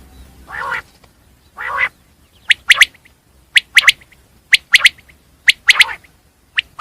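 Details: Common quail, known locally as batir, calling: two low, rough buzzy bursts followed by sharp, clipped notes in quick pairs and triplets, each phrase repeated about once a second against a quiet background.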